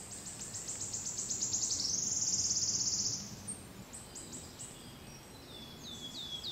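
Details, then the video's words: Wood warbler song from Brussels, Belgium, recorded in June 2011: accelerating high ticks run into a buzzy trill, then another bird gives a few faint high, falling notes. "Pouillot siffleur (Phylloscopus sibilatrix) Wood Warbler"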